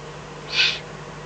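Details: Eurasian eagle-owl in the Eifel at night, 24 May 2014, a fox brought as food. A single clear, harsh hiss of about a third of a second, loud against a faint steady electrical hum.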